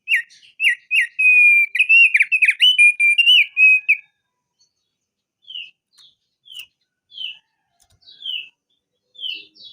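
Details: Crested darkeye in long rolling ngerol song: four seconds of loud, rapid, warbled whistling, followed by a series of softer, higher slurred notes roughly every 0.6 seconds.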